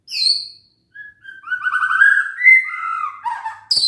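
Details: Caged white-rumped shama singing to stir sluggish birds into song: a high opening note, then a run of warbled, trilled whistles stepping between mid and higher pitches, ending in a sharp high burst.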